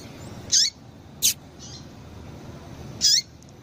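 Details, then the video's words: Female double-collared seedeater calling to stimulate males: three brief, high, sharp chirps, each ending in a quick downward sweep, the first two close together and the third after a pause of nearly two seconds, over a steady low hiss. "Piado de Fêmea de Coleiro"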